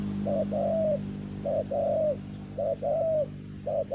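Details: Spotted dove used as a ground decoy to draw in wild doves, with a deep voice: low hooting coos in paired phrases, a short note then a longer drawn-out coo, repeating about every 1.2 seconds over a steady low hum.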